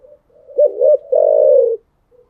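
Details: Spotted dove cooing in the morning, one full phrase: two quick throaty notes swelling into a long, even, purring coo, with a faint soft coo after.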